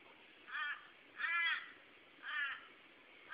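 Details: Torresian crows calling to each other on 8 February 2012 give three harsh, nasal caws about a second apart, the middle one longest and loudest, over a quiet background.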